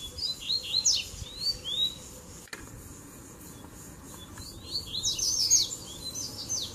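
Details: Double-collared seedeater songs in the tui-tui, zel-zel and mateiro styles, a mix played to fire up other birds: brief high whistled sweeps and slurred phrases, pausing mid-clip before a denser burst of sharp rising and falling notes.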